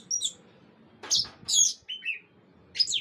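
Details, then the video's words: Orange-headed thrush from Indonesia, swaying as it sings: short bursts of high, sharp whistled notes and scratchy chirps, each lasting a fraction of a second and separated by brief pauses, with a soft rustle between them. "Anis Merah digoyang"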